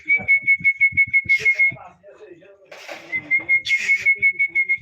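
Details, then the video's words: Pet talking parrot indoors, whistling a steady high note broken into rapid even pulses about three per second, pausing amid a harsh squawk, then resuming the pulsed whistle. "কথা বলা টিয়া পাখি || আমাদের মিঠু কিভাবে কথা বলে দেখুন"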